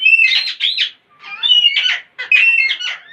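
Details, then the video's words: Parrots making weird sounds: three harsh, buzzy squawk bouts, each about three-quarters of a second long and layered with warbling tones, separated by short silences. "Most Beautiful Parrots Are Making Weird Sounds And Funny Noises !"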